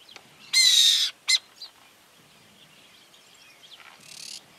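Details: In rural Argentinian farmland early in the morning, a tame Burrowing Owl on a post, another alert on the ground near chicks a few metres away, gives a harsh raspy half-second screech, a shorter rasp, then a fainter hissing burst.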